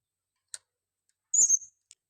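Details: Female blue-crowned hanging parrot used as a lure bird, calling vigorously: one shrill, very high, thin note about a third of a second long, flanked by a few faint clicks in otherwise quiet surroundings.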